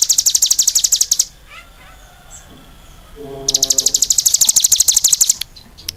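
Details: Cigun, a cage songbird, singing energetically: rapid high buzzy chip trains repeated about three per second, in two bursts split by a pause with faint lower tones.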